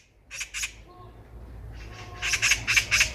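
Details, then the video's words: Eurasian magpie heard by chance on a walk, a loud clear chatter: two harsh broadband squawks, a pause, then a fast run of four rasping notes, over low background hum. "까치 새소리"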